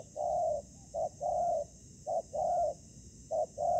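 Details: Spotted dove calling in ground trapping, where a decoy meets combative wild birds. Low mellow coos come in a steady pattern: a short note and then a longer sustained one, repeated three times and loud over a quiet background.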